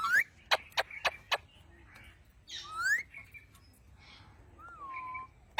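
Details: Talking parrot, or mian mithu, producing a quick series of hard clicks, upward-sliding whistles and a drawn-out falling whistled note, with brief gaps between sounds.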